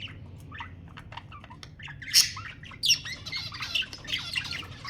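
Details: Budgerigars, played to prompt breeding: quiet scattered chirps, then a loud squawk and ongoing raspy chattering warble.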